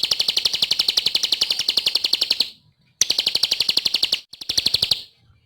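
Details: Vigorous ciblek (bar-winged prinia) song from a training recording. It consists of three bursts of rapid, high, buzzy pulsed notes separated by brief pauses, and ends with a faint low rustle.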